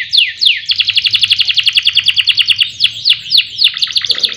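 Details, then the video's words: Singing canary used as a lure to get other birds singing day and night: two descending sweeps open a long rapid trill, then more falling whistles and a mixed warble, over a faint low hum. "Pancingan Kenari Agar Gacor Siang Malam, Cocok Untuk Masteran Burung Lomba"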